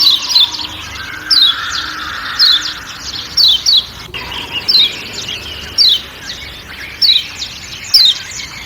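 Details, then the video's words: High, falling 'ciak' calls from a kecial kuning white-eye of Lombok, single or doubled at about one-second intervals, set against forest noise with one sharp click. "Kecial Kuning Ciak Ciak Dan Suara Hutan"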